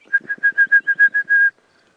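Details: Female orange-breasted bushshrike calling while hopping around in a bush during a morning safari drive at 7:30 AM on 28 August 2016. About nine clear whistled notes, all on one pitch, repeated rapidly, roughly six per second. The last note is slightly drawn out.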